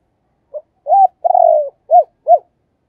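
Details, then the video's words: Caged decoy spotted dove calling to lure others: a short soft note, a rising coo, a long rolling wavering coo, then two clipped arched coos, low and mellow, in quiet surroundings. "cu moi/ tiếng cu mồi"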